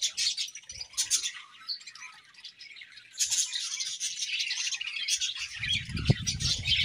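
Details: Budgies in a colony, described as happy, keep up busy high-pitched chattering and twittering with short squawky notes. A low thumping knock sounds near the end.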